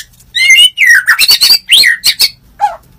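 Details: A captive white-rumped shama in the morning, its song used to provoke other birds, sings a rich, varied phrase of loud whistles, harsh squawky notes and rapid slurred chatters, ending on a lower fluty note.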